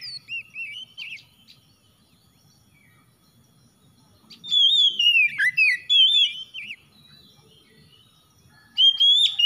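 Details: Oriental magpie-robin (kacer) song for a stressed, non-singing bird: short whistled notes, a long quiet gap, then a loud run of warbling slurred whistles and sharp chirps, ending with another rising whistled burst.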